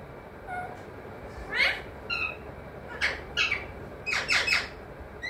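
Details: Talking parrot known for saying mithu, mummy and papa. Several short, rough, speech-like syllables come in quick clusters, rising toward the end, against a constant low background hum.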